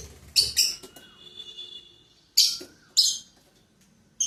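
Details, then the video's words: Pair of pet lovebirds at the start of their day giving harsh, piercing chirps in quick doublets, then single sharp screeches about every half second to second, with a faint thin whistle between bursts. "Love Birds Starts their days"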